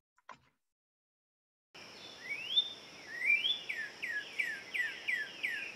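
Northern Cardinal song: loud, clear whistled slurs, a few long rising sweeps, then a quicker run of short downslurred notes, 'wheat wheat what cheer cheer cheer'.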